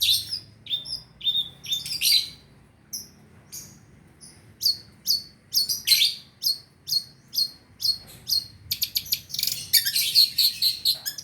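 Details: Long-tailed shrike (Lanius schach) song used for luring shrikes: bright, scratchy chirps about twice a second, ending in rapid chattering bursts, over a faint low hum.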